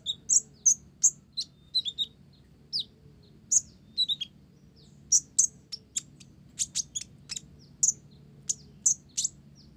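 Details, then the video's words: Olive-backed sunbird in steady song, mixing in Java sparrow phrases: scattered high chips and twitters, growing into a faster series of sharp notes in the second half. "Konin Blorok Gacor isian Gelatik"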